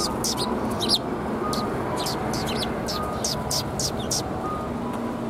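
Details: Sparrows gathering on red plum blossoms at a Tenmangu shrine on 4 March 2021. Short, high chirps repeat steadily, about two each second, over a constant low rumble of background noise.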